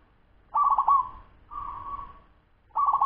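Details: A 10-month-old local zebra dove sings quickly, giving a burst of rapid pulsed coos that settle into a smooth sustained tone, followed by a quieter level coo and the start of the next trilled phrase.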